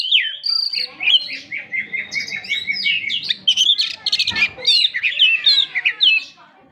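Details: Oriental magpie-robin in energetic 'gacor' song used to spur a stalled bird: steady high whistled notes, quick trills and descending slurs packed closely, with a short scratchy burst midway.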